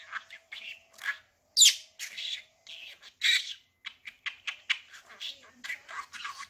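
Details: Pet budgerigar practising new words amid laughter: rapid, scratchy, high chattering syllables in short irregular bursts, some louder squawky notes, with a faint steady hum underneath.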